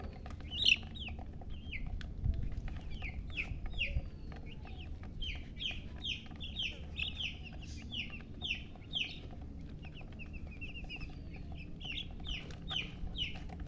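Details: Baby chickens chirping in a steady stream of short, high, down-slurred peeps, several birds overlapping, with occasional clicks and faint low hum behind.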